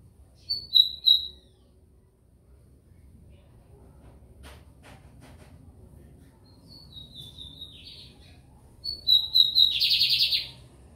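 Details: Lined seedeater (bigodinho, 'americano') singing at São Luís, Maranhão, Brazil: clear high whistled notes in a short phrase, a pause, then a descending whistled series and a final rapid buzzy trill, with faint low background hum.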